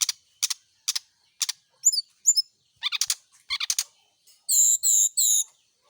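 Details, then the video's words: Brown-chested jungle flycatcher singing during morning dew exposure intended to keep it vocal: a series of sharp ticks, paired high slurred whistles, rattling chirp clusters, then three loud buzzy high phrases. "pengembunan SRDC di pagi hari biar rajin bunyi"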